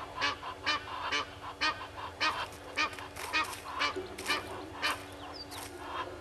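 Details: Red-billed hornbill looking for a meal in front of a camera tree at Gowrie dam waterhole, Djuma Game Reserve, Sabi Sand, South Africa, 07:13 on 25 July 2021; nasal clucking notes repeated about twice a second, with faint chirps behind.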